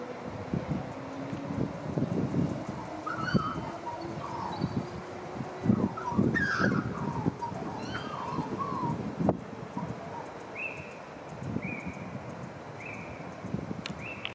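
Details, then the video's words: Australian magpie singing on a balcony in East Perth: scattered warbled and whistled notes, some sliding upward, then a series of short, clear, repeated whistles near the end, over low thumps and background rumble. "Caroling Magpie (Gymnorhina tibicen)"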